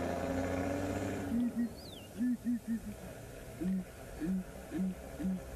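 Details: A group of Southern Ground Hornbills, adults with a begging juvenile, calls while walking through grass in the Mara at sunrise on 7 September 2017. They trade deep, hollow booms in bursts of two or three, a lower voice answering a higher one, after a brief thin whistle and a low rumble.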